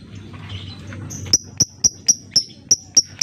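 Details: Lovebird lure meant to make silent lovebirds sing: after a second of low murmuring background, a run of sharp high ticks begins, about four per second, crisp and evenly repeated.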